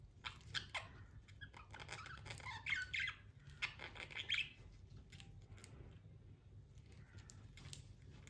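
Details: Captive budgies chirp and chatter in quick irregular bursts for about four seconds, then fall mostly quiet with only faint scattered notes, against a steady low indoor hum.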